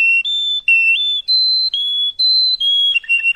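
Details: Canary song for training chicks, known as traynik: long, pure whistled notes held about half a second each, stepping up and down between a few pitches, ending in short chips.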